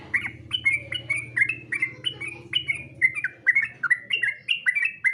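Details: Sooty-headed bulbul singing for contest use: crisp, evenly spaced whistled notes rising then falling, about three per second, with a low hum early on.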